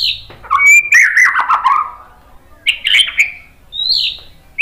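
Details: A White-rumped shama sings to provoke other birds: high whistles, a tumbling descending warble, a pause, then rich overlapping whistled notes and a final rising high note.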